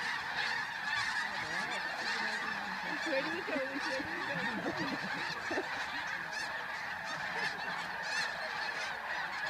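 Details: Dawn liftoff of a vast goose flock at Bosque del Apache, New Mexico, 10 November 2013, cranes left behind; continuous clamor of overlapping honks, with lower wavering calls clustered in the middle seconds.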